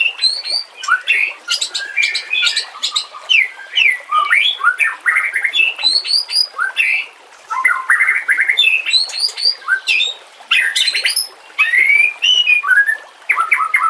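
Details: White-rumped shama singing as a tutor recording to train and lure shamas, over natural ambience with trickling water: rich continuous medley of rising and falling whistles, buzzy trills and sharp high notes with brief gaps.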